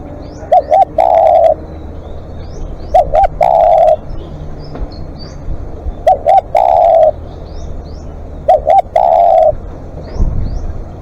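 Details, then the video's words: Spotted dove as a live decoy giving long calls: four phrases, each two quick short coos then a drawn-out, level, mellow coo, spaced about every two to three seconds, with sharp clicks in the background. "เสียงนกเขาใหญ่ ต่อสดเรียกยาวๆ"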